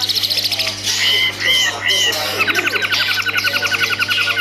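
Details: Long-tailed shrike kept as a caged songbird: a few clear whistled double notes followed by a fast, even rattling trill of repeated mimicked chips, with a low mains hum.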